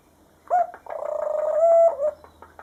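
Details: Hand-raised pet white dove, rescued as a fallen nestling and now very trusting of people, giving a short coo, then a longer pulsing coo that holds steady before fading.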